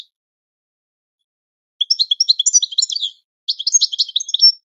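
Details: After nearly two seconds of quiet, a European goldfinch delivers two training song phrases of rapid, high twittering and chirping notes, the second ending on a longer sustained note.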